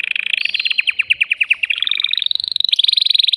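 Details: Excited male canary, caged, singing to stimulate a female for mating. Fast, evenly spaced descending chips run for about two seconds, then shift into a higher, rapid pulsing trill that carries to the end.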